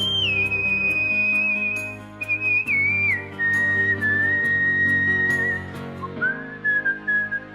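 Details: Cockatiel whistling Let It Go from Frozen along with loud backing music: long held whistled notes stepping downward in pitch, ending with a rising swoop.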